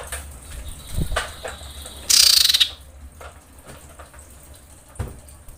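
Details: Female common iora in breeding condition, screeching to call males: one loud rasping pulsed churr of about half a second over a low hum, with a few faint clicks.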